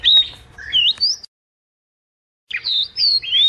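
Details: High chirping and twittering phrases of a white wagtail's song, broken by about a second of complete silence before the twitters resume.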